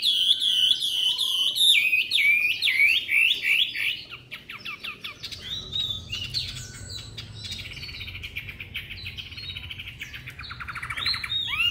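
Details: Three-month-old caged white-rumped shama in Hanoi, Vietnam, singing persistently: a run of loud looping whistles repeated several times, then quicker chattering notes and scattered sweeping whistles, with faint low hum.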